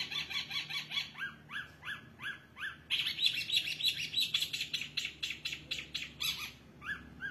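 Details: Long-tailed shrike singing energetically with a rich fill-in repertoire: a run of rising chirped notes about three a second, then a louder, denser scratchy passage before evenly repeated chirps resume.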